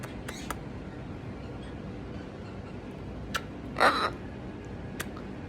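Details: A macaw named Captain, angry and cranky during a roughly ten-minute bout of screaming, gives one harsh, raspy squawk, short and loud, over a quiet indoor hush broken by a few sharp clicks.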